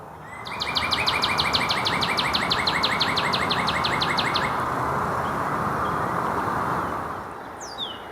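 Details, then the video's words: A male Northern Cardinal, munching on a leaf during a forest trail hike, gives a fast run of about twenty sharp, down-slurred whistled notes, some five a second, over a steady hissing drone. "Here's a male northern cardinal munching on a leaf making a couple of calls."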